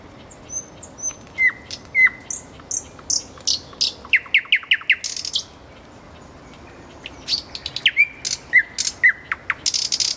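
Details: Roadside common nightingale: two swooping notes, a quick run of clicking chips and high trills, then a pause of about two seconds before another burst of varied whistles and rattles.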